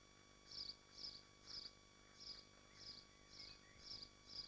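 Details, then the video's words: Swifts at their nest in Machynlleth, Dyfi Biosphere, heard through a nest livestream. Eight brief, shrill buzzy notes come at an even pace, about two per second, over faint background hum. "Machynlleth Nesting Swifts Live Stream"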